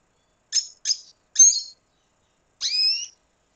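A red siskin sings three quick, high, buzzy chirps, pauses briefly, then gives a longer twittering note with a rising whistle in it.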